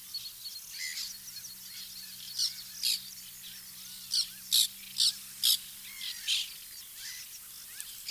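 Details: White-winged terns at a nesting colony in 2021: harsh, rasping high calls in short bursts, about nine louder ones in a row roughly every half second, with fainter calls from other terns behind them.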